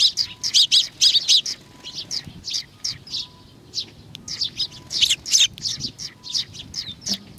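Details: Sparrows gathering to be fed, Tenmangu, Nakanoshima, 21 June 2020: a busy stream of rapid high chirps from several birds, loud runs at the start and midway, a faint faraway tone behind.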